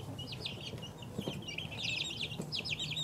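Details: Chicken chicks two weeks old giving rapid, high-pitched peeps in clustered bursts, several birds calling at once over a low steady hum.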